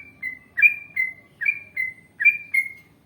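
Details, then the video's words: Yellow-vented bulbul, a chatty trucukan with a long ropel song style: six liquid, whistled slurred notes in pairs, clear against a quiet background. "Masteran Trucukan Gacor Ngalas Panjang Ropel Panjang"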